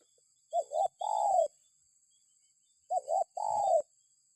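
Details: Spotted dove, used as a lure to get other birds calling: two cooing phrases, each a quick double coo followed by a longer, slightly falling drawn-out coo, separated by about two seconds of quiet.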